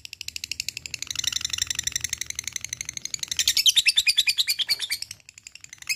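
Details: Extended lovebird ngekek for drawing others to call: a steady, buzzy stream of shrill pulses that swells louder midway before breaking off into silence.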